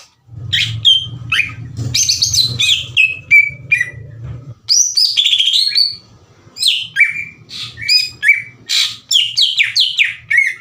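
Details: Greater green leafbird song used as a lure to provoke rival leafbirds: loud, varied high whistles and chattering phrases with rapid notes, over a low hum during the first half.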